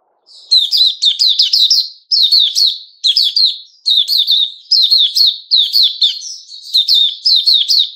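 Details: Sooty-headed bulbul, male, 10 July 2021: energetic chattering song in regular bursts of rapid, bubbling notes, each phrase roughly a second long and separated by short gaps.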